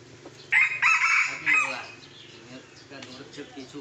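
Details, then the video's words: Crowing red junglefowl from Sumatra, Indonesia, where young wild birds are caught by traditional decoy luring. A loud, staccato crow in three quick bursts lasts about a second and a half. Faint clucks and low background hum follow. "CIRI CIRI PIKAT TEMB4K PADA PIKAT AYAM HUTAN MUDA"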